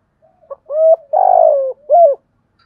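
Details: Spotted dove fighting call: a faint lead-in note and a short clip, then a rising level coo, a long vibrating coo that sinks in pitch, and a closing coo. Nothing else audible.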